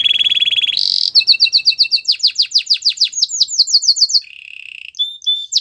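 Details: Song of a Belgian singing canary, meant to seduce other canaries: a steady high trill, then long runs of quick downslurred whistles, a lower rattling roll and brief bright upslurs.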